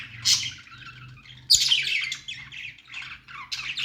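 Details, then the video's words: Budgerigar singing with a happy sound: bursts of scratchy, buzzy chatter and warbled notes, loudest near the start and again midway, with brief quieter gaps between phrases and a faint low hum beneath. "Budgies singing"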